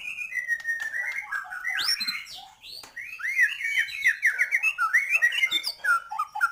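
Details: A white-rumped shama sings a long, fast, varied song of clear whistles, slurred rising notes and rapid chattering runs, packed with changing phrases and almost no pauses.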